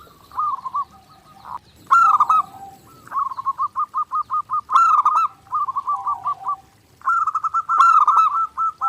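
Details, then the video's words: Zebra dove song from a clear master recording for daily training: rapid stuttering series of short pulsed coos, several phrases ending in a warbled flourish, with brief pauses between bursts and a faint higher overtone-rich note at phrase starts. "SUARA PERKUTUT GACOR NONSTOP"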